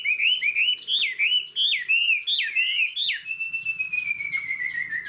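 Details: Tame Chinese Hwamei with a fig-leaf tail, singing from a high perch: looping whistled phrases repeated rapidly, then one long clear whistle sliding slowly downward.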